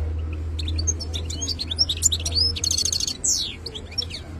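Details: Khalawi European goldfinch song of quick high chips, liquid slurred notes and a buzzy rattling trill mid-phrase, with a loud low hum running throughout.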